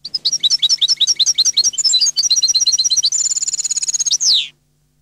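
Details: Long twittering song of a European goldfinch: rapid liquid chirps in quick succession, a sustained high trill, and a final descending buzzy note.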